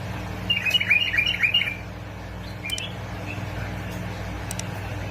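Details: Bulbul from Basra and Fao, Iraq, recorded to stimulate other bulbuls to sing: a quick burst of about six bright chirping notes over one second, then faint scattered notes, above a steady low hum.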